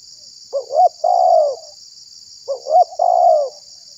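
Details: Spotted dove (tekukur) lure call to draw and provoke wild doves: two soft, hollow coo phrases, each with a brief stuttered start and a drawn-out note, about two seconds apart, with constant high hiss.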